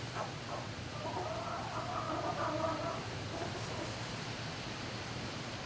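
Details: Turkeys in a barn at night, 11-05-2018, around 20:41: a drawn-out, wavering harmonic call lasting about two seconds rises over a steady low hum of barn machinery.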